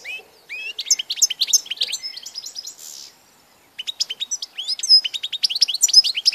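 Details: European goldfinch singing, dated 16 March 2014: fast tinkling, liquid twitter of quick rising and falling notes, a short break, then a denser, louder run of chirps.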